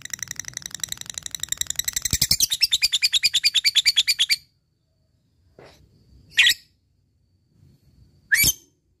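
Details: Fighter lovebird singing 'ngekek' to challenge a rival: a long, rapid, buzzing chatter of high shrill notes lasting about four seconds and swelling in loudness, followed by silence and two separate sharp shrieks.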